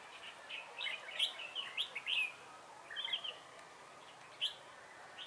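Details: Red-whiskered bulbul used as a decoy to lure wild birds for trapping, recorded 3 November 2017: short bright warbled phrases of liquid chirps, spaced irregularly, over steady background hiss.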